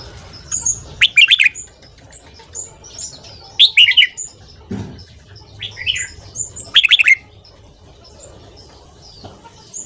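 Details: Fast morning song of a red-whiskered bulbul for voice training and to stimulate newly caught birds: loud warbled phrases repeated about every three seconds, separated by soft high whistles, with one low thump.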